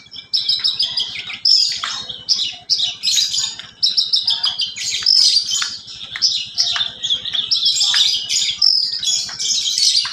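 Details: Captive parva bush lark singing in a sparrow and canary style: a continuous, jumbled stream of high chirps, bright whistled notes and scratchy twitters in quick phrases, with a faint pulsing low hum underneath.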